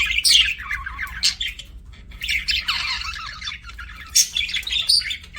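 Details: Pet budgerigar: loud squeaky chirps and buzzy warbles in uneven bursts, separated by short quieter gaps, with piercing high whistled notes near the end and a low hum behind.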